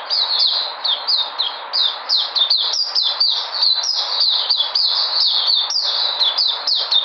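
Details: Lively white-eye recorded 13 February 2020, pouring out a fast, unbroken stream of thin, high twittering notes, each slurring downward, in an energetic run.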